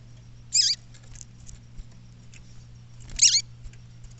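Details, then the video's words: Female double-collared seedeater calling in the bush: two short, very high chirps, each sliding sharply downward, about two and a half seconds apart, over a steady low hum and faint ticking. "Femea De Papa Capim Chamando Apronta de Verdade Chamando no Mato"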